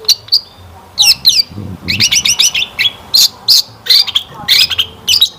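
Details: Long-tailed shrike lure song, full of rich fill-in phrases, used to get other shrikes singing: quick strings of scratchy upslurred notes in clusters, with a faint low rumble behind.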